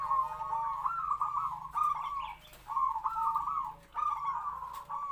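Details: Captive-bred zebra dove of about three to four years, a trapping decoy, sings vibrating, purring coo phrases in a medium kwor kwor voice, with two brief pauses.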